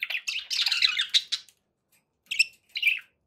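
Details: Pet budgerigars calling indoors: a dense burst of scratchy, warbling chatter for about a second and a half, then a pause and two short chirpy bursts near the end.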